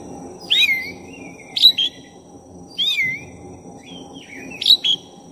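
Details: Oriental magpie-robin of the black-breasted type singing to provoke a rival. Four bright phrases of clear slurred whistles, each opening with a sharp high note, about a second apart, over a faint steady low hum.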